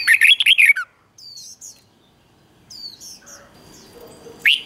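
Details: Red-whiskered bulbul song from Thailand, played for caged birds to learn: a quick burst of rich warbled notes, then soft high whistles and quiet chatter, ending with another loud warbled phrase.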